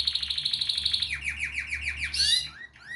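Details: Canary song, pleasant and lively: a fast high trill that drops into a run of repeated downward-sweeping whistles, a sharp burst, then a few soft rising notes, with a low hum behind.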